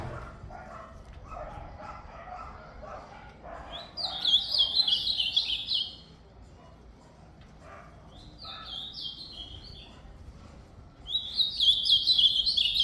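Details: Ultramarine grosbeak singing three bursts of rapid, downward-stepping warbled notes at intervals of several seconds, while softer lower calls and a low rumble continue in between.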